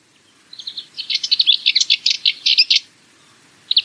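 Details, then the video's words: Cyprus Warbler, a long-tailed Curruca warbler of Mediterranean scrub on Cyprus, singing a dry, rattling phrase of rapid scratchy notes lasting about two seconds, then a new phrase starting at the end. "Cyprus Warbler - Songs"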